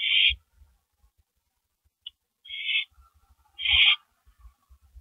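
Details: Owls on a porch at night, 2:15 AM on April 18, 2012, two birds present; three harsh, hissing screech bursts, the first and last loudest, separated by quiet gaps with faint low thumps.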